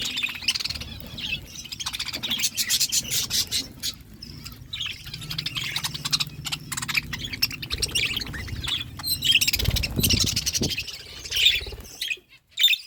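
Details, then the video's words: Several pet budgerigars chirping while they eat: dense, overlapping high twitters and warbles with bursts of clicking and scraping, and brief low thumps near the end. "Budgies eating food birds chirping sounds"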